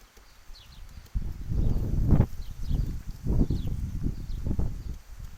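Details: A Downy Woodpecker pecks at peanuts at a backyard feeder in Brights Grove, making dull, irregular knocking bursts, several taps grouped together and spaced a second or so apart, with faint background hiss.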